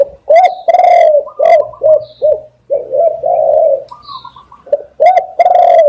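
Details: Spotted dove cooing, used as a lure for catching doves: loud, low, hollow coos in rapid uneven series, some short and clipped, others drawn out, with faint higher chirps from other birds in the gaps.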